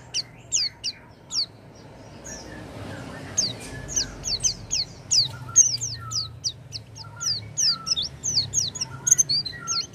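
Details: Oriental white-eye twittering used as a lure to make a quiet white-eye start singing. Rapid, thin, high-pitched falling notes run in busy bursts, growing denser and louder midway, over a low background hum.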